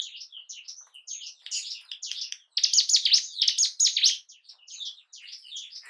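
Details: Bar-winged prinia song played to provoke mating urge and aggression in caged birds; soft scattered high chirps build into a loud, fast run of scratchy down-slurred notes, then fade back to quieter twitters.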